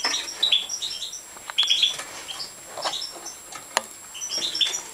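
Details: During feeding, a Major-type European goldfinch begs with thin high twittering chirps in scattered clusters, some sharper squeaks, and occasional soft clicks and wing flutter.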